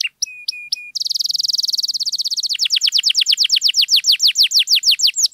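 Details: Lively canary singing to coax quiet canaries into song: short clipped notes open into a very fast buzzing trill, then slower, evenly repeated high slurred notes that grow louder toward the end.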